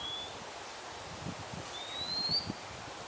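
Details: Oriental magpie-robin singing in Singapore: a thin high whistle, then after a pause a long rising whistled note, with soft rustling in the background.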